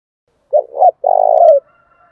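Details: One spotted dove phrase from a male and female recording made to stimulate cooing in trained birds. Two short uneven notes are followed by a long, steady, burry coo.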